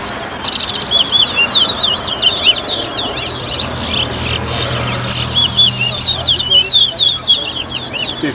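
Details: Competition-singing chestnut-bellied seed finch (towa towa) at a bird club in Better Hope, Guyana, 2022: rapid rambling warble of slurred, chattering high notes nearly without pause, with people speaking faintly behind.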